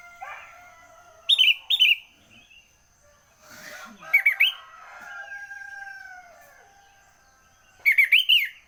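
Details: Sooty-headed bulbul singing early in the morning: short loud bursts of bright, bubbly warbled notes around 1.3 s, 4 s and 8 s, with faint whistled tones and background birds between phrases.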